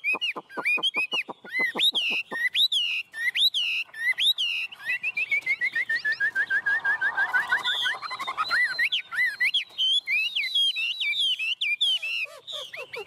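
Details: A tame Chinese hwamei sings on a person's hand. A rapid volley of clipped descending notes leads into rich whistles, then a long, evenly paced falling series of trilled notes, and a return to loud, varied whistling.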